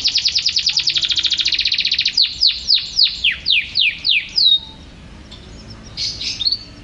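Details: A champion canary pours out a very fast, loud rolling trill for two seconds, then a series of about nine descending sweeps. Softer scattered notes follow after a short pause.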